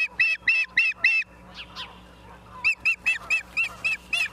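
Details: Osprey calling at a nest in Charlo, Montana, on a live camera, 28 September 2023, 17:45. Four loud piercing chirps, two thinner slurred notes, then a steady string of seven more clipped whistles.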